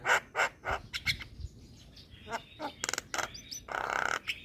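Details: Javan myna song played as a lure and therapy for moulting mynas; a few loud harsh chacks, quieter clicks, then a burst of rattling notes and a rough squawk.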